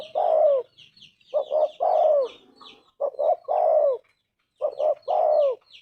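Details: Spotted dove (tekukur) cooing its gacor anggungan song, three phrases each of two brief coos then a long coo falling at its close, with small birds twittering faintly higher up.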